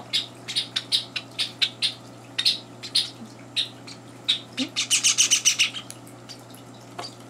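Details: Captive Java sparrow chicks at morning feeding, with two older birds joining in: a run of high chirps, spaced at first, then crowding into a rapid, louder burst near the end. A low hum runs throughout.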